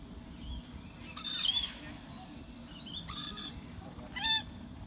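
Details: A Rainbow lorikeet at the Australian Reptile Park gives three harsh, grating screeches about a second apart over a steady low rumble of background noise.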